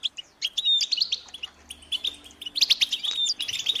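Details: Goldfinch group chatter meant to stir males to sing, heard as sparse bright chirps and short whistled notes in quick irregular bursts, with gaps of quiet between clusters and a faint low hum underneath.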